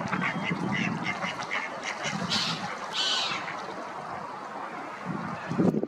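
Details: Ducks on the water quacking with rough, nasal calls blended into a dense murmur of low background noise, a few sharper quacks breaking through near the middle.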